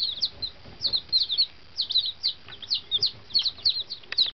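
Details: Just-hatched fancy chicks, one day old and fresh from a long box journey, cheep in clear high rising notes, several per second, in a lively overlapping chorus that stops abruptly.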